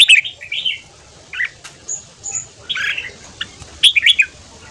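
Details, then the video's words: Morning ché-style song of a red-whiskered bulbul for voice training: scattered brief warbled phrases, some slurred down, others buzzy and clustered, spaced by pauses, with faint high whistles. "Luyện giọng chào mào hót sáng ché/kích bổi theo giọng nhanh"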